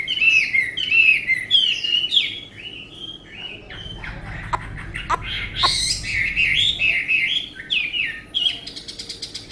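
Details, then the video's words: Tame caged Chinese hwamei with a good voice delivering rich, rolling whistled song phrases, broken midway by a few sharp clicks and a short lull, then resuming with looping warbles and a quick stuttered ending. "họa mi ccdv1121 thuần đẹp giọng hay quá"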